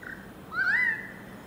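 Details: A currawong singing in a garden in Enmore, New South Wales, gives one loud, clear whistled note that swoops upward and eases off, lasting about half a second over a faint steady hum.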